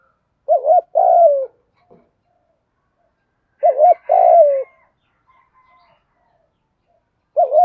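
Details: Spotted dove call used in training, male and female birds in thổ pha style with gù thúc: low coo phrases roughly every three seconds, each a quick two-part wobble followed by a sustained, falling coo, with faint whistles.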